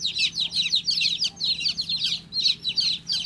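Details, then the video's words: High, piercing peeps of a baby chick, repeated quickly in clustered bursts with brief gaps, each note dropping in pitch. "Cutest baby chick chirping sound"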